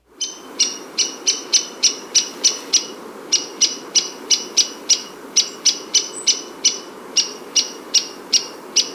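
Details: A Downy Woodpecker gives its very high, characteristic sharp pik notes, three or four a second, over a steady low hiss.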